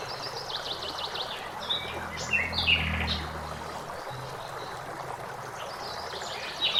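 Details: Common blackbird singing beside flowing water in a forest: short clear whistled and warbled phrases rise and fall above a steady rushing trickle of a stream, with a brief louder burst of notes near the middle.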